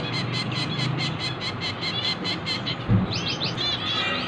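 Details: Hand-fed finch babies giving fast, rhythmic, high-pitched begging chirps. Near the end these change into a few louder, sweeping squeaky notes, and a low hum runs throughout.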